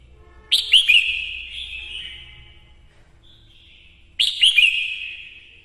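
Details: Female red-whiskered bulbul, a decoy bird, singing to rouse males. Two short bright chirpy warbled phrases about three and a half seconds apart, each opening with quick sharp notes and trailing off into a fading tone, over a quiet background.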